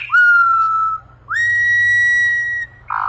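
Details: Troupial in sofreu song gives two long, clear whistles. Each rises sharply at the start, then holds steady, the second higher and longer. A brief harsh note ends the phrase.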